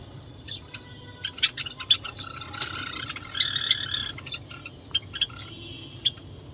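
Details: Gouldian finches in a breeding cage with three young about two months old give short, high, thin chirps at irregular intervals, with a brief scratchy buzzing stretch midway and a faint low hum behind.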